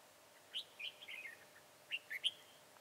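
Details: Slender, high-crested, dark-bibbed red-whiskered bulbul during decoy trapping on 22 January 2018, giving short, sharp chirped notes in two brisk bursts separated by a brief pause, with a quiet background.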